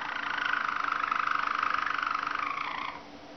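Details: Waterslager (Malinois) canary singing a continuous low rolled tour of rapid bubbling pulses held near one pitch for almost three seconds, dipping slightly and fading at the end, with a faint steady hum beneath.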